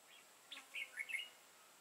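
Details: Red-whiskered bulbul, a dark-bibbed lure bird, sings competitively during trapping on 31 March 2018 in Vietnam. A single quick phrase of three or four slurred, whistled notes rises and falls.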